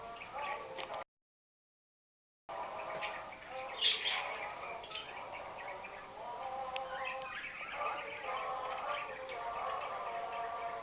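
Budgerigars chatter in a busy, warbling stream of chirps, squeaks and buzzy notes.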